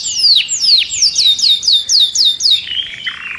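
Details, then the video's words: Caged canary in a furious, agitated song: a run of sharp descending whistled notes, about four per second, ending in a lower buzzy rolling trill. "Cantando um canário em fúria dentro da gaiola"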